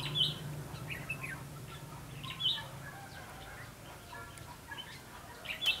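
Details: Red-whiskered bulbul during trapping on 19 September 2016: brief sharp whistled notes and short warbled phrases repeated every second or two, with a steady low hum beneath.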